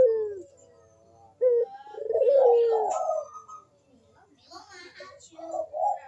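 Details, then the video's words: Barbary dove (puter) in lively 'kuk deruk' cooing, used as a lure for doves slow to call. Low, hollow coos sliding downward, broken by short pulsed notes and gaps, with faint higher clicks. "KUK DERUK BURUNG PUTER GACOR MANGGUNG"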